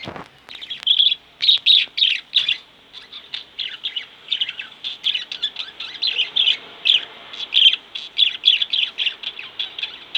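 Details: Two pet budgerigars at home chatter loudly in a continuous stream of bright, rhythmic chirps and warbled notes, bursts repeating steadily for ten seconds.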